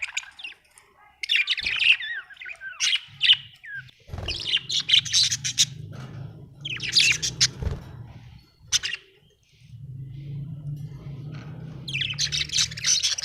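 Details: Budgie in a happy mood chirping and warbling in several bursts of scratchy, high notes, with a low rumbling background noise running through much of the recording.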